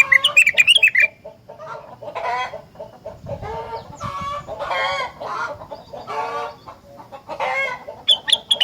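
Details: Energetic rengganis song meant to set other rengganis singing: a quick series of high whistled notes at the start, followed by repeated bursts of rough, nasal chattering, with more whistles at the close.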